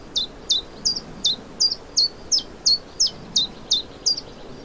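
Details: Common chiffchaff, Vilaine estuary in Morbihan, Brittany, France, late May 2023, in spring: a steady string of twelve crisp, high chirped notes, the two-note chiff-chaff alternation repeated evenly and rapidly, with little other sound.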